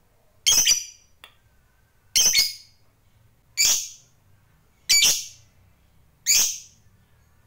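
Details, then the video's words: Lovebird kept as a fighter bird, five strident, buzzy squawks, each sliding down at the end, evenly spaced about every one and a half seconds, with a faint low hum beneath. "Suara Burung Lovebird Ngekek Panjang GAYA MEWAH ISTIMEWA"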